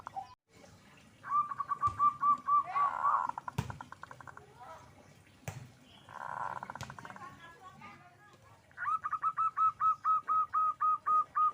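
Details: Zebra dove in lively song: a string of clear, evenly repeated coos early on and a longer regular series at the end, with a human voice and clicks in between.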